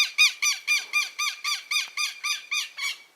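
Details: Southern lapwing chicks, newly born, giving a steady series of ten loud, clipped peeps at about three per second, each call rich in overtones.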